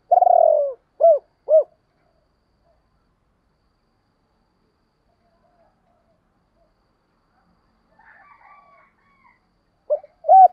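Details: Spotted dove call for luring wild doves: a long falling coo and two short arched coos, then a long silence with a soft murmur. Two more short coos end the passage.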